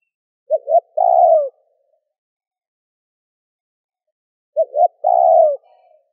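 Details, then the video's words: Two spaced phrases from a spotted dove calling to stir wild birds, about four seconds apart. Each has a pair of short notes and then a long, smooth coo that trails downward. A faint murmur follows. "Cu gáy gù - thúc - gáy gọi kích bổi nhanh nổi"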